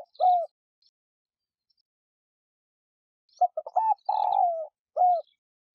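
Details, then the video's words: Spotted dove calling as a lure to excite caged doves: a short coo, a pause of about three seconds, then a cluster of quick coos, a longer drawn-out descending coo and a final short coo. "Cu gáy kích bổi nhanh nổi / cu gáy gọi / tiếng cu gáy mồi"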